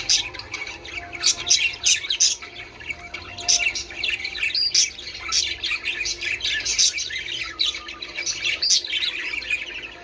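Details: Budgerigars warbling to stimulate breeding: bright chirps and rapid twittering with clicking accents, a thin whistled tone early on, several birds overlapping.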